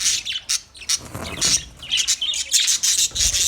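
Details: Budgerigar colony chirping: dense, overlapping high scratchy chirps and warbles, rapid and continuous with brief gaps, a busy chattering flock.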